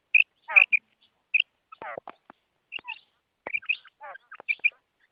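A female quail gives short, high, paired chirps mixed with harsh raspy rattles, several bursts in about five seconds, against a quiet background.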